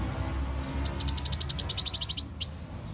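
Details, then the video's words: Sunbird lure call used to attract birds for catching, the bird known as muncang or kolibri wulung: a fast, even, buzzy trill of about fifteen very high ticks, then one more tick. "Panggilan Burung Muncang"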